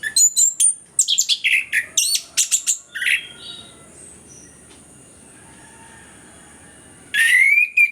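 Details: Anis kembang, the orange-headed thrush, singing energetically in a lure recording meant to set silent birds singing: about three seconds of rapid, jumbled high whistles and chips, a quiet pause, then a loud rising whistled phrase.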